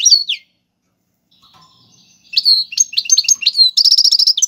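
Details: Goldfinch song of the tiwawati galoubi and serfati styles, meant for tutoring young birds: a sliding chirp, a quiet gap, then a rising run of tinkling, twanging phrases ending in a rapid even trill.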